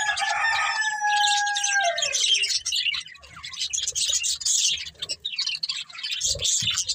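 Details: Budgerigars kept as a breeding pair with their family: a drawn-out, falling, tonal call opens, followed by steady high-pitched chattering and scratchy twittering with short quieter dips.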